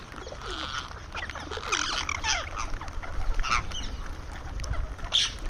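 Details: Indian ringneck parrot making sounds while eating: quick chattering notes building into louder rasping squawks, then a few sharp single calls toward the end.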